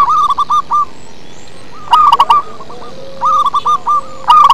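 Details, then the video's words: Bass-voiced local zebra dove singing: chains of short, stuttering coos repeat in quick groups, with three loud clusters and more distant doves answering faintly between them. "Perkutut lokal manggung ngebas"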